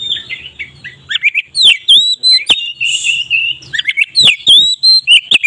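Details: Oriental magpie-robin in loud, open song, offered as a lure for other magpie-robins: varied sweet whistles and quick chirps, broken by several sharp clicks or knocks.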